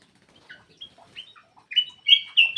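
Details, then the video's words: Faint scattered chips give way to loud whistled phrases from a black-crested bulbul, played to prompt lazy birds to sing. The song swells into rising, ringing notes at the end. "PANCINGAN BURUNG MALAS BUNYI CUCAK EMAS \ KUTILANG EMAS GACOR"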